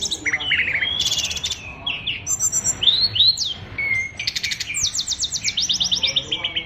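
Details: Song of a caged oriental magpie-robin, full of learned phrases: a busy mix of buzzy rattles, sharp upslurred whistles and quick chirp series, delivered almost without pause over a soft background hum.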